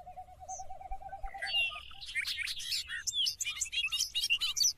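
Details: Bobolink singing: after a steady wavering low hum in the first two seconds, a rapid bubbling jumble of high, tinkling, metallic notes tumbles out for about three seconds, with notes leaping up and down in quick succession.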